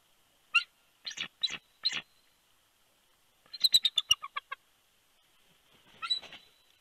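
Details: Night shift change at a bald eagle nest in Big Bear, California, January 2020: the male calls to bring his mate in before she resumes incubating. Four spaced squealing notes, then a fast tumbling chatter and a softer trailing burst.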